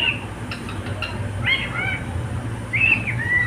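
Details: Pet cockatiel giving soft, brief whistles early on. A louder arched whistle follows near the end, then a steady flat note, over a low background hum.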